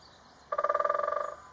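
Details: Drumming of a great spotted woodpecker at Galdames in Bizkaia, heard from a hide: a quick, even burst of ringing knocks lasting close to a second, tonal and resonant, against a still background.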